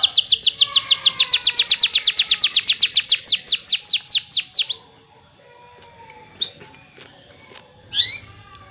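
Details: Rolling canary song meant to coax silent canaries into singing: a long series of sharp, down-slurred whistled notes at about five per second, stopping abruptly, followed by two short isolated chirps after a pause.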